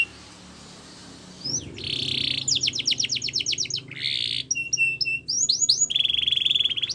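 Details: Canary song used for training, opening after a quiet start with a buzzy rolled trill, then rapid repeated downslurred notes, a trill and a steady whistled rattle, sung in varied bursts.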